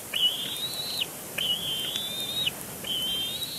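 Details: Bald eagle chick complaining loudly at its father on a nest at Big Bear Lake, late April 2022. Three drawn-out piercing whistles, each gently rising and ending in a quick downward drop, separated by brief pauses.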